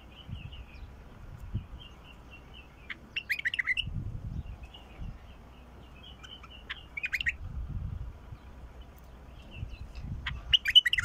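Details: Wild bulbul giving several short, rich warbled phrases of quick up-and-down notes, spaced a few seconds apart, with soft twittering between them and low rumbling background noise.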